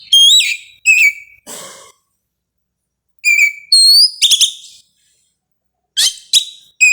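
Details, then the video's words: An Oriental magpie-robin singing at dawn in the morning dew, kept there to prevent over-arousal, delivers short groups of piercing, upward-curving whistles and a buzzy note, with long silent gaps between phrases. "suara kacer di subuh hari"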